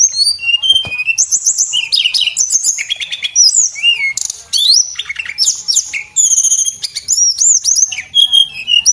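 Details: Male Javan whistling thrush in full song, used as a tutor recording for training cage birds: a dense, fast stream of high, sharp chirps, slurred whistles and buzzy trills, almost without pause.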